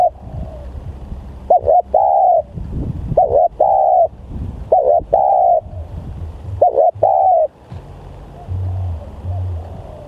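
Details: Very vocal spotted dove used to lure other doves. Four cooing phrases, each a clipped double note then a longer smooth coo, followed by quieter background hum toward the end.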